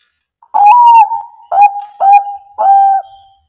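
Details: Perkutut (zebra dove), Bangkok line, cooing to stir lazy birds into singing: four evenly spaced resonant notes, a longer first one followed by three shorter, each with a crisp attack and sustained flat tone.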